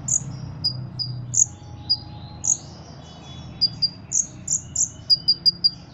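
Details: Ruby-cheeked sunbird from Cililin, kept for song contests, sings scattered shrill chirps that speed up toward the end into closely spaced high notes, with a faint brief trill in the middle.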